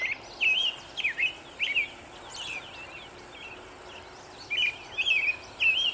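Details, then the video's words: American robin in the morning sun, 11 May 2013, delivering bursts of quick caroled phrases, a quieter pause in the middle, then another rapid series of bright slurred notes; light constant background hiss throughout. "American Robin singt in der Morgensonne"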